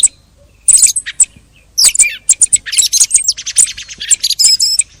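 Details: Song thrush song, compiled from recordings at the end of the hunting season: short bursts of sharp, high chirps and squeaky twittering notes, separated by brief pauses.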